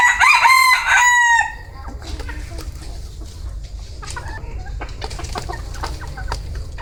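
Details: Tail end of a bantam rooster's crow, loud and harmonic for about one and a half seconds, then quieter scattered clicks, faint chirps and low background noise.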